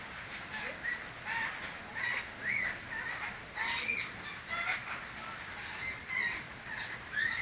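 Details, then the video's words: Chirping birds heard over background hiss, repeated brief rising squeaks and rough chatter in irregular bursts, several calls overlapping, fairly distant. "birds chirping sound"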